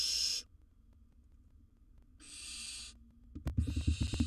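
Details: Wild barn owl in a nest box, during the swallowing of large prey, gives breathy, noisy hisses, three bursts in total, followed by sharp knocking and scraping sounds.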